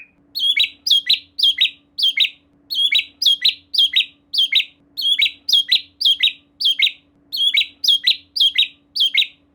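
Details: Lure song of a White-rumped shama meant to make another shama sing: short sharp high notes with clicks, repeated in quick pairs and triplets throughout, steady and rhythmic.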